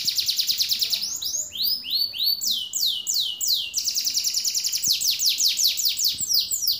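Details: Caged canary delivering a long varied song: a high buzzy trill, then loud descending swept whistles repeated in quick succession, closing in a rapid run of falling notes.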